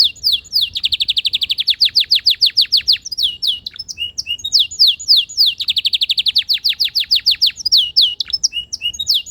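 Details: Singing canary with rapid rolling trills of repeated short notes, interspersed with quick descending slurs and chirps, the trill pattern returning midway through.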